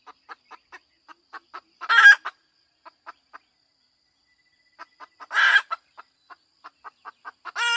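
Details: Hen calling: runs of short, clipped clucks spaced about a quarter second apart, broken twice by a loud, harsh, drawn-out squawk, with a third squawk starting at the end.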